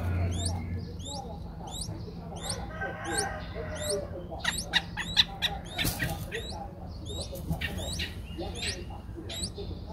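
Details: Streak-eared Bulbul nestlings five days old, Ubon Ratchathani, Thailand, 7 April 2023: thin, high rising chirps repeated about twice a second, with a few sharp clicks and low background hum.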